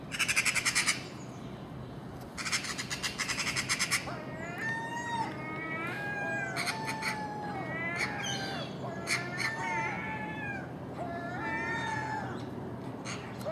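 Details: Common gulls raiding garbage at dawn with magpies and crows: dry harsh rattling chatter opens, then a series of short, nasal, rising-and-falling gull mews repeated irregularly.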